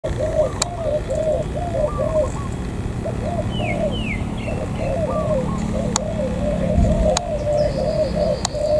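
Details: Spotted dove at An Giang border area, Vietnam, giving soft, hoarse coos in a steady repeated run, with a low rumble, sharp clicks and a few thin chirps from other birds.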